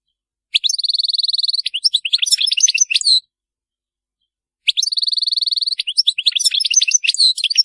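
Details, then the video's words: Goldfinch chattering for stimulating silent goldfinches to sing: two matching phrases separated by silence, each opening with a steady, fast, buzzy trill and breaking into jumbled, tinkling, high twitters. "بتبتات حسون جماعية لتهييج وتحفيز طيور الحسون على التغريد.بتبتة تجعل الطير الابكم يغرد بقوة"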